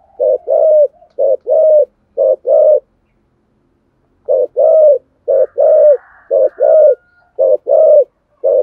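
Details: Spotted dove cooing in the 'thổ sấm' voice style, a thúc gù coo: low, hoarse two-part coo phrases in bursts of two to three notes with pauses, repeated about once a second, and a faint higher tone midway.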